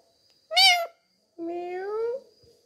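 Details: Pet talking parrot enjoying a head massage, mimicking a cat: a short bright meow, then a longer, lower, rising nasal meow, in a quiet room.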